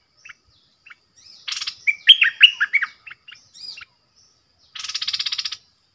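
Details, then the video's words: Bulbul decoy singing at wild birds, giving scattered soft notes, a buzzy burst, then a rich phrase of rolling whistles, ending with a long rasping rattle. "เสียงนกดอกแตงEp.58Birds soundsรวมคลิป นกต่อ ร้อง&ริก!!!ใส่นกป่า merbah lekir gacor"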